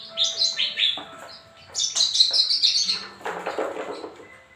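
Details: Javan bush lark, a kept bird under care, giving quick bursts of high, scratchy chirps and short buzzy trills in phrases of about a second, with brief gaps, then a lower rattling run near the end.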